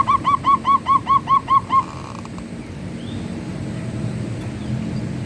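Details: Zebra dove (perkutut) manggung song: eight soft, rounded cooing notes in quick, even succession open the recording, followed by quiet with only a low background rumble.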